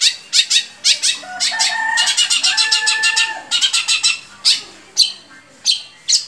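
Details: Long-tailed shrike vocalizing, intended to make captive shrikes sing: loud, harsh, rasping bursts, some in rapid stuttering runs, over softer, lower, drawn-out tonal notes in the background.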